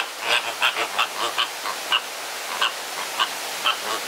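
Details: Crowded flamingos squabbling at a botanical garden in Deshaies, Guadeloupe, honk in short nasal bursts spaced irregularly. A steady hiss of background noise runs underneath.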